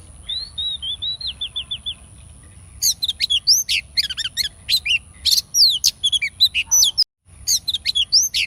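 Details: Female oriental magpie-robin calling to stimulate male birds: a descending series of short clear whistles, then a dense run of high, sharply sweeping chirps and trills, briefly cut off before resuming.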